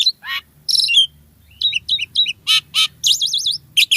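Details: Captive black-winged starling singing in full varied form: a lively run of sharp whistles, chirps and rapid trilled notes in short bursts, with brief pauses between phrases.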